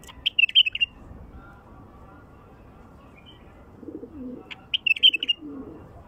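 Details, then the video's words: Two rapid, liquid warbled phrases from a wild bulbul about four seconds apart, with faint low cooing between them. Played to lure wild bulbuls. "تغريد بلبل وحشي لفتح البلابل الوحشية"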